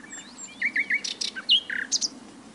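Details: Nightingale song phrase of quick varied notes: short whistled slurs, a loud high burst, and a rich downslurred note, with soft background hiss.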